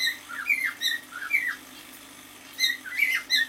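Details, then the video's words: Young male cockatiel, half a year old, kept as a pet indoors, singing: bursts of short whistled, warbling notes sliding up and down, in two phrases with a pause between, in a small room. "Песенка КОРЕЛЛЫ-НИМФЫ №1."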